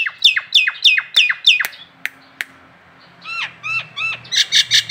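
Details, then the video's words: Local Nias hill myna heard in a masteran training recording, giving a fast run of loud down-slurred ringing notes, then two sharp clicks, a pause, a few curved whistles, and a final burst of bright rapid notes. "masteran jalak Nias lokalan aja"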